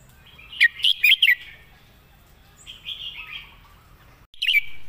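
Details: Red-whiskered bulbul serving as a song tutor, noted for distinct, well-phrased notes, sings a bright four-note whistled phrase, then starts another near the end. Soft chatter from other birds continues between phrases.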